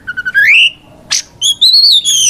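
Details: White-rumped shama fighting song for provoking rivals: soft repeated notes leading into a rising whistle, a brief noisy burst, then a long clear whistle wavering high.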